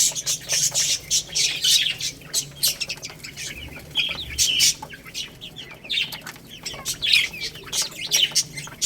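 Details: Little chicks eating rice, with loud pecking and rustling bursts broken by brief high chirps here and there.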